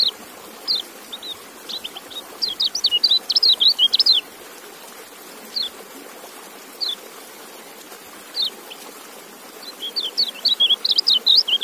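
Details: Kecial white-eye giving bursts of fast, high, thin chirping notes, with isolated single chirps between the bursts, over a steady soft hiss like running water.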